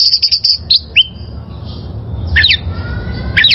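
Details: Oriental magpie-robin from the wild, recorded as a master song for caged birds: a quick stutter of high notes, then scattered sharp whistles, a long thin whistle and a few slurred upward-sweeping notes.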